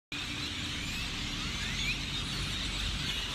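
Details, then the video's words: A large, gathered flock of grackles makes a dense, unbroken din of squeaky, screechy chatter, with a low traffic rumble underneath. "Large Hitchcockian Grackle gathering!!!"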